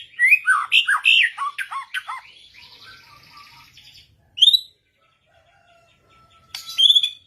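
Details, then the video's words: White-rumped shama in a song duel with another bird, pouring out fast varied whistles and chirps, then a buzzy trill, followed by two isolated bright whistled notes after a silence. "Burung Murai lain ikutan ngotot"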